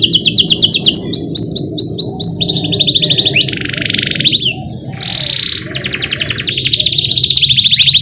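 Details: Training song for young canaries: a canary rolls continuously ('ngerol'), with fast repeated chirps, broad buzzy bursts and a brief dip before returning to dense, rhythmic high trills. A constant low hum sits underneath.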